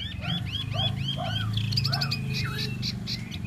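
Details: Tieu mi bird singing a fast series of rising whistled notes, then lower slurred whistles and sharp buzzy strokes, over a steady low hum.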